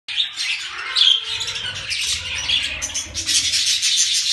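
Budgerigars chatter in a dense, continuous stream of high, scratchy chirps and warbles.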